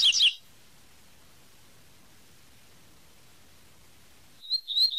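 A double-collared seedeater gives short, high, bright whistled phrases of its 'tui tui' song at the start and end, with a long silent gap between.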